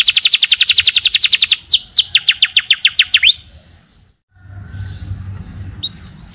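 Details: Canary in full song: a very fast even trill for a second and a half, then a string of falling whistled sweeps, followed by a quiet pause with low background hum and a final brief note.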